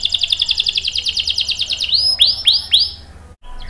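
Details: Brief canary song used to coax young and stalled canaries. A rapid, rhythmic trill gives way to three loud, sweeping curved whistles, then fades into a short pause.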